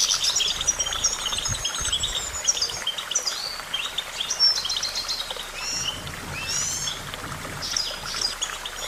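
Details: Goldfinch song: a continuous, lively jumble of high chirps, short rising slurs and tinkling trills, with faint low rumbling in places.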